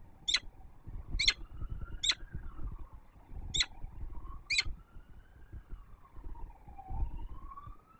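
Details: Female peregrine falcon at a nest on the Palace of Culture and Science in Warsaw, Poland, early morning of 19 September 2024, calling before leaving. Five short, sharp high chips, spaced unevenly over eight seconds, over a low rumbling background.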